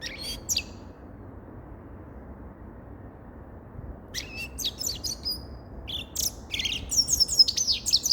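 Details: Grey-crowned goldfinch singing: a brief burst of high twittering notes, then a pause of over three seconds, then a run of bright, rapid chirps and buzzy trills building toward the end.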